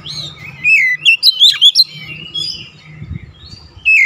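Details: Magpie-robin song played to help a stressed bird recover and sing hard: slurred descending whistle, a quick string of five bright chirps, then drawn-out thin whistles and a final rising note, with faint low rumble.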